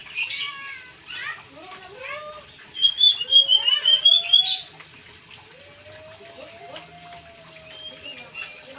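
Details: Blue-and-white flycatcher, known locally as sikatan biru muda or sikatan ninon, singing actively: a run of bright high chirps and trills, then slow whistled notes rising and falling, with a watery background.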